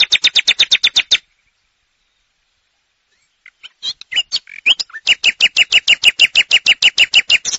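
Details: Common nightingale song: a fast series of sharp high repeated notes, a two-second pause, then scattered varied notes building into another long run of loud, evenly spaced piping notes.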